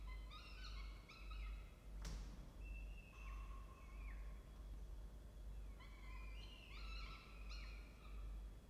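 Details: A peregrine falcon at a nest box gives quick series of harsh, ringing notes, with a drawn-out wail between them, over a steady low hum and one sharp knock.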